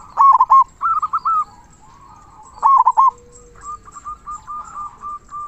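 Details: Zebra dove, a local bird with a big 'kung' sound, singing to stir other doves: loud rolling coos about every three seconds, between runs of soft rapid cooing notes from nearby doves.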